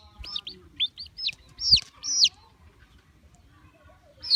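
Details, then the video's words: Baby chicks chirping in a quick irregular series of high downslurred peeps, about two per second at first, then a pause and one last loud peep, with a dull knock and soft background noise. "Baby chicks chirping sound"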